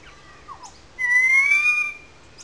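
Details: Currawong calling out loudly in a gully above wetlands in Sydney Park, St Peters, Sydney: a strong, pure whistle about a second long, rising slightly, preceded by quieter short downward-slurred notes.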